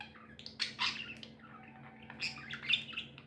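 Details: Happy pet budgerigars give a few loud high chirps, then a soft warbling pause and another burst of sharp notes over a low hum.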